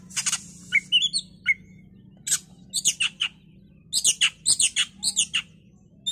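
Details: Oriental magpie-robin, in a lure recording meant to make other magpie-robins agitated and sing, gives a varied, high song of sharp whistles, slurred rising notes and quick chattering bursts in rapid clusters.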